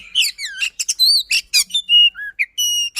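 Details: White-rumped shama in persistent, varied song, clear whistles, sharp chips and quick slurs, ending on long pure notes, meant to coax a silent shama into song.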